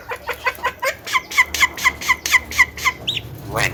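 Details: Javan myna kept at home, known for mimicking coughing, laughter and calling girls, gives a rapid run of about a dozen short, evenly spaced harsh notes, rising in loudness, then a brief upslurred whistle.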